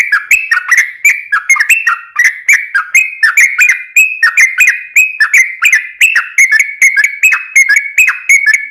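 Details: Yellow-vented bulbul lure song, a vigorous singer: dense, nonstop bubbling phrases of quick rising and falling notes, closely packed with no gaps.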